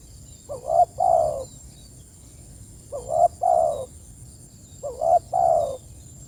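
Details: Spotted dove calling its companions: three low cooing phrases, each a quick double note followed by a longer drawn-out coo, repeated about every two seconds, with a faint steady high-pitched whine in the background.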